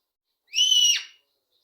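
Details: Pet rose-ringed parakeet, which says names, giving one loud harsh drawn-out call lasting about half a second and dropping at the end, in a quiet indoor room.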